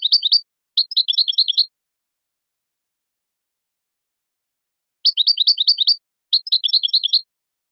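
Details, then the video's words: Goldfinch song for teaching chicks and songbirds: four short bursts of fast, high, tinkling twitters, each a tight cluster of repeated chirps, arriving in pairs separated by a long quiet gap. No other sounds. "Analysis of goldfinch songs and their performance in education"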